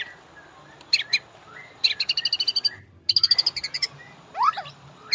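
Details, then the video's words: White-rumped shama master song meant to coax caged birds into singing: short sharp notes, then rapid rattling series of bright repeated notes, ending in a quick rising slurred flourish. "MASTERAN MURAI BATU; Cocok buat pancingan burung ngorak"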